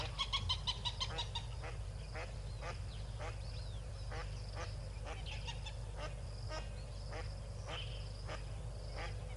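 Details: At Tau Waterhole on a February 2022 afternoon, a yellow-billed duck with six ducklings: a burst of loud nasal calls opens the clip, then brief raspy notes repeat roughly every half second, with high thin chirps and a constant low hum.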